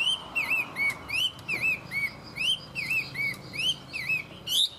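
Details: Tame Chinese hwamei singing well, repeating a looping whistled motif of dipping, rising notes about twice per second, clear and loud, with a sharp high note at the end.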